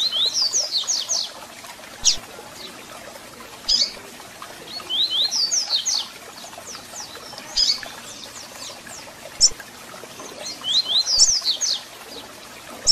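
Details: Double-collared seedeater song played to excite and warm up a captive bird: short bursts of quick, sweeping high whistled notes, some with sharp clicks between phrases, over light background hiss.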